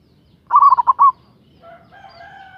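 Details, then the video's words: Zebra dove of local stock, loud-voiced, calling to draw out a rival: one quick rolling phrase of five or six clipped coo notes, followed by a fainter, steady whistled tone. "Suara Perkutut Lokal GACOR Suara Besar Ampuh memanggil LAWAN Emosi Manggung"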